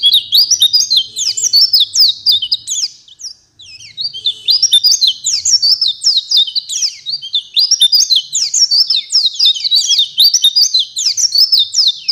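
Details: A Java sparrow delivers a long, rapid song of sharp, bell-like chirps and trills, rising and falling in dense phrases, pausing briefly once before resuming at full pace.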